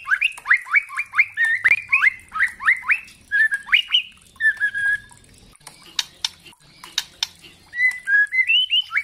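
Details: Kretekan of a spotted young white-rumped shama, played to stimulate other shamas to sing: a rapid rattling series of upward-hooked whistles, a drawn-out falling whistle, sharp clicks, then renewed rising whistled phrases.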